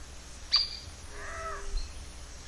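A squirrel cuckoo gives a sharp click, then a single nasal, harsh call lasting about half a second, over quiet background hiss.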